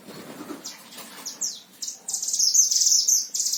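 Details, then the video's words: Tutor oriental white-eye in a cage in Central Java, Indonesia. A few downslurred chirps build into a long, fast, high trill at the end, with faint low noise at the start. "Masteran Gacor Mantenan Himalaya"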